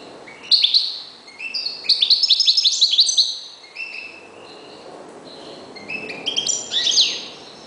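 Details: European goldfinch kept as a reclamo singing: a quick string of clipped, tinkling high notes in a tight run, then a pause and a later burst of sweeping chirps, over faint background noise.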